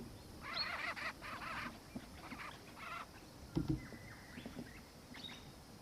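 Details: Black-faced cuckoo-shrike of subspecies melanops, recorded in Victoria, Australia, in December 2019. It gives harsh, rasping, churring bursts in a quick series, then one more short burst. Thin whistles of other birds and steady background noise follow.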